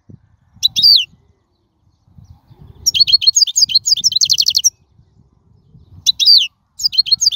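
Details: European goldfinch singing in the wild, used to teach young birds: short bursts of bright, high twittering phrases separated by pauses, a faint low rumble underneath.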